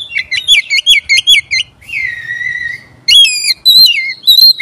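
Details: Oriental magpie-robin lure song for provoking other magpie-robins: rapid repeated whistled notes, a long downslurred whistle, then loud varied phrases.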